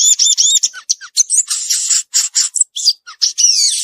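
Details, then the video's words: Wild violaceous euphonia in full song, pouring out fast high twitters, buzzy trills and brief downslurred whistles in quick succession. "Gaturamo verdadeiro cantando na natureza"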